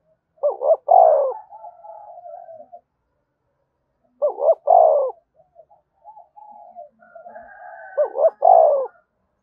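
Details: Cooing spotted dove, meant to prompt other doves to start cooing: three loud, throaty double-note phrases about every four seconds, each trailed by soft, murmuring low coos.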